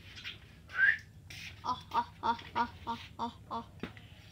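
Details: Pet common myna calling indoors while the owner tells it not to call. A rising whistle is followed by a run of about eight short, clipped notes repeated every third of a second, over a low background hum.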